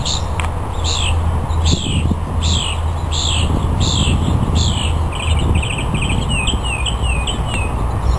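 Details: Male northern mockingbird at the Cal State Fullerton Arboretum, singing and dancing to attract a mate: a downslurred whistled phrase repeated about six times, then fast trilled chips and a run of bouncy up-down notes, over steady low rumble.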